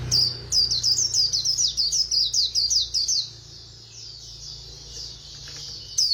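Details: Quick-beaked white-eye 'khuyên líu' singing: about three seconds of evenly spaced, high, wavering chirps at a fast clip, fading into a quieter soft warble, then a final loud note.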